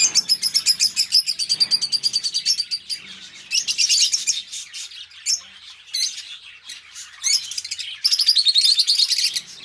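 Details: Two companion budgies open with quick, evenly pulsed chirps about three per second. These give way to a scratchy, jumbled warble, then a dense chattering outburst at the close.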